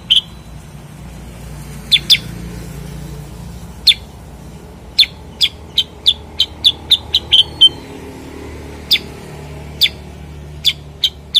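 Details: Bulbul, called cucak kurincang or kutilang sutra locally, giving sharp, dry chip notes, singly and in quick runs, irregularly spaced over eleven seconds against a quiet low hum.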